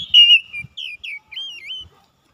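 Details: Oriental magpie-robin song played as a daily lure for quiet birds: a strong opening whistle followed by four shorter looping, warbled whistles, each slightly separated, fading to silence.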